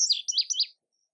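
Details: Indigo bunting fragment: four or five high, bright, slurred whistled notes in under a second, then silence.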